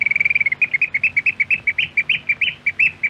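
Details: Eurasian oystercatcher, Norway, archive radio recording: a loud, rapid run of shrill piping notes that slows into strident, evenly spaced pips roughly four per second, clear with little background.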